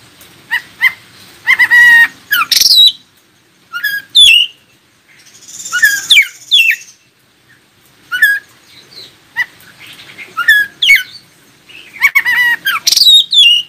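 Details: Oriental magpie-robin song meant to make other magpie-robins respond: varied phrases mixing buzzy trills, stacked warbles and sharp downward whistles, delivered in bursts separated by short pauses.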